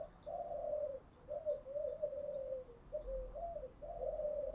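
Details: Spotted dove kept by bird fanciers, cooing in the morning: a steady chain of soft, mellow coos, some drawn out and slightly falling, others short and rounded, against a quiet low hum.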